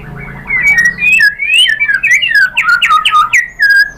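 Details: White-rumped shama song played to provoke other birds into singing, a dense rapid run of slurred whistles, rising and falling sweeps and sharp chips running almost without a break.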